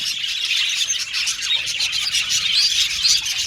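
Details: Budgerigars chirping happily: a brisk, dense chatter of clear whistled chirps, fine trills and buzzy warbles from many birds overlapping, with a soft low background hum.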